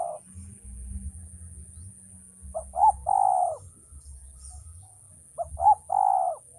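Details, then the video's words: A male spotted dove for training birds: the tail of one coo opens, followed after a pause by two phrases of short stuttered notes and a long mellow coo, with steady low hum beneath. "suara burung tekukur"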